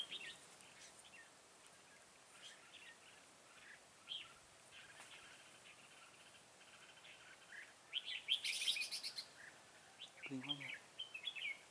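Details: Red-whiskered bulbul used as a decoy while trapping on 25 September 2018, fight-singing to lure wild bulbuls. Scattered short, chirpy warbled phrases rise and fall in pitch over faint background hiss. A louder burst of phrases comes near the end.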